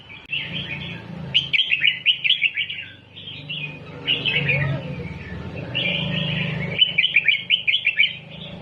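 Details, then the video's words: Red-whiskered bulbul singing in the doubled style as a lesson for young birds: two bursts of fast, repeated chirpy whistles separated by gentler warbles, with a soft low hum underneath throughout. "เสียงนกกรงหัวจุก สอนลุกนกแบบเบิ้ลๆ"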